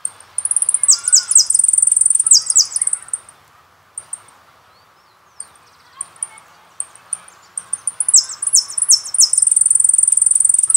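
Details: Jilguero finch song from a song CD: bursts of high, sharp, rapidly repeated descending notes with buzzy trilled runs, a quiet pause in the middle, then the song resumes strongly near the end.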